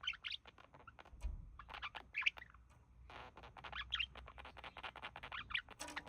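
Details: Male pet budgerigar with its mate, imitating human speech; scratchy twittering warble in uneven phrases, short squawky notes and clicks throughout.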